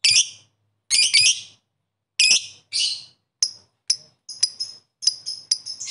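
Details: Lovebird calling rivals: sharp, harsh high chirps in short bursts, some doubled, spaced irregularly, shorter clipped notes toward the end.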